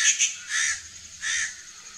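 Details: Rufous treepie in India giving harsh, grating calls: two quick clipped notes, then two longer rasping bursts about three-quarters of a second apart.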